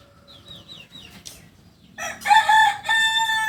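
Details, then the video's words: Kukuak Balenggek rooster from Solok, West Sumatra: faint small bird chirps first, then a loud rich crow of long held harmonic notes split into two stepped sections. "Ayam kukuak balenggek ayam asli solok sumbar"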